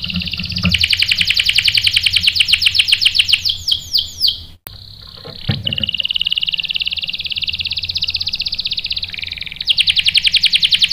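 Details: Canary song played to provoke males into sharp rolling answers: a dense rapid trill slowing into swooping notes, a sudden click and break, then a long steady rattling roll and a renewed fast trill.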